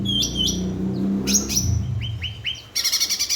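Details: Cucak ranting bulbul singing to prompt silent birds: a few high buzzy and whistled notes over a low rumbling background, then a clear run of three descending whistles and a final harsh buzzy burst.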